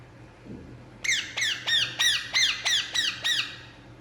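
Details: Indian ringneck parakeet at rest starts after a second of quiet, then repeats a steady series of nine grating, downslurred squawks at an even pace.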